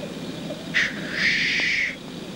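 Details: Male black grouse in lek display. A sharp hiss comes first, then a longer, harsh, sneezing rush lasting about a second, over faint bubbling in the background.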